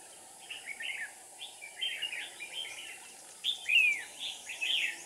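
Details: Red-whiskered bulbul used as a decoy while trapping wild bulbuls in Dong Nai, Vietnam, on 7 April 2019. It gives short warbled, whistled phrases of slurred notes in bursts, louder near the end, over steady background hiss.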